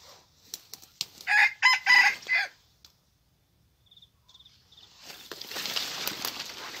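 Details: Young red junglefowl decoy with a spotted tail, out for its first training session as a trapping lure. It gives one loud, harmonic-rich crow of about a second and a half in several broken segments, preceded by clicks and followed by rustling.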